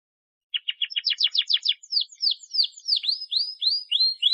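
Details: Lively canary song used to coax young birds or reluctant singers into song. Rapid repeated chip notes run into a dense trill, then a series of clear descending whistled slurs at a steady pace, on a quiet background.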